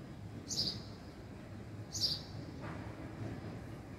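A house sparrow gives two short, bright chirps about a second and a half apart over a low, steady background hum.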